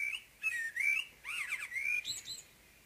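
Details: Common blackbird giving its morning song close by, loud mellow whistles in separate phrases, some sliding down, finishing with a high thin squeaky flourish.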